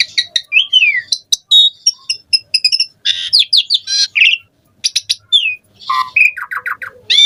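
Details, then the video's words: Lure song of an Asian pied starling to make others sing: a dense mix of downslurred whistles, clicks, rapid stuttering notes and buzzy phrases, broken by one short pause. "Jalak Suren Gacor Full Isian VARIASI Cocok Buat Pancingan Suara Burung Jalak Agar Gacor"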